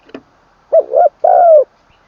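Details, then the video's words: Single crow from a spotted dove decoy in training: a short tap, then a broken double coo and one long, slightly falling coo in a full middle register ending the phrase. "ขันลงกุกวัย เสียงกลางเต็ม"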